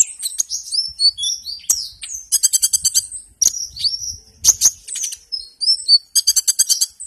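A hummingbird gives very high, thin, squeaky chips and twitters, broken by rapid buzzy trills of about a dozen notes in half a second.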